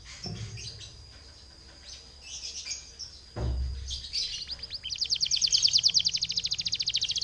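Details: Canary singing as a lure to set other canaries singing: faint scattered chirps over background noise and a low thump, then a loud, fast, dense rattling trill dominating the last two seconds.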